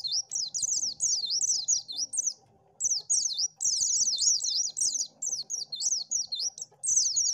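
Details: High-pitched song of an Oriental white-eye, played to lure birds, made of fast, sweet zigzagging whistles strung into long bursts separated by brief gaps.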